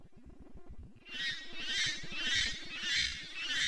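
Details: A great tit scolding while feeding on 4 November 2018, filmed in 240fps slow motion: harsh rasping churrs about every half second after a quiet start, over low thumping and rumbling noise.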